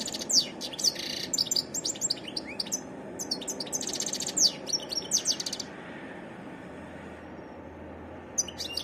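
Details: European goldfinch singing varied phrases of quick high twittering and buzzy trills, fading into quiet near the end before a final chirp, with low background hum.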